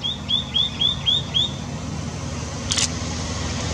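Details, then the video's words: White-naped tit in India calling continuously, giving five bright rising whistled notes about a third of a second apart, followed by a brief click against low steady background rumble. "White-naped Tit calling"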